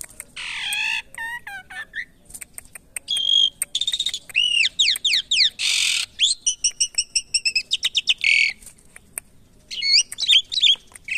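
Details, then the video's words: Caged Asian pied starling during taming delivers a busy medley of high rising whistles, harsh rasping bursts and quick clicking trills, the notes coming almost without pause over the whole stretch. "Menjinakan Burung jalak Suren"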